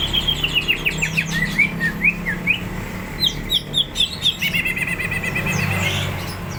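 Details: Hyperactive greater green leafbird (cucak ijo) singing as if ready to fight: quick upward-slurred whistles repeated in bursts, mimic-like varied phrases and a sustained whistled trill near the end, steady low hum behind.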